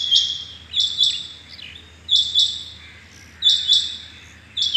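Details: On 6.7.21 in the morning a rain quail, or chingy bateer, repeats clear doubled metallic calls about once a second, with a few quieter falling chirps in between.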